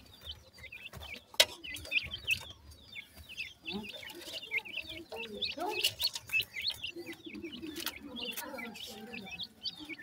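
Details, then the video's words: Partridge chicks in a forest, giving cute chirping calls. Many high, short chirps overlap, several slurring downward. Lower clucking notes mix in, over a steady crackle of rustling. "partridge chicks enjoy in the forest,make cute chirping calls"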